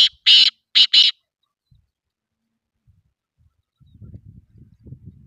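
A black pheasant gives three harsh, rasping bursts in quick succession, then falls silent while a low rumble of background noise follows.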